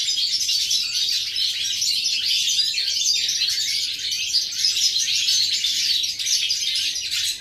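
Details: Steady, dense high-pitched twitters and trills from a goldfinch, recorded on 11 September 2018, flowing on continuously throughout.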